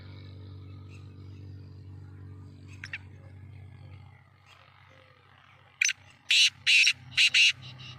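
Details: Black francolin of the Sheedi kind, called kala teetar, sings out after a few seconds of low hum and faint notes: a sharp opening note and four loud, harsh, rasping notes, ending with softer clicks.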